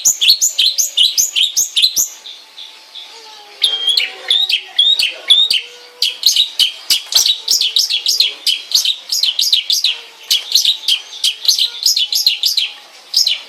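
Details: Long-tailed shrike kept at home singing long bursts of rapid, high, looping chirps, broken by a short passage of softer varied warbling notes.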